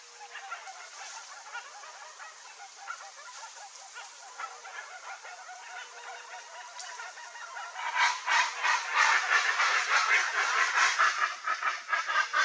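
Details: Chestnut-bellied guan, a rare bird, a flock calling together: harsh repeated honking notes, faint at first, then swelling into a loud fast chorus of rhythmic squawks from about the eighth second onward.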